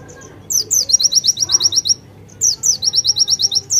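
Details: White-eye singing vigorously with konin fill-in phrases: rapid series of high, sharp downslurred chirps, about ten per burst, two bursts separated by a short pause, faint low background hum.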